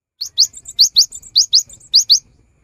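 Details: Cinereous tit in full song, used to coax non-singing birds to sing: a quick series of shrill, upswept notes mixed with short high whistles, roughly ten notes in two seconds.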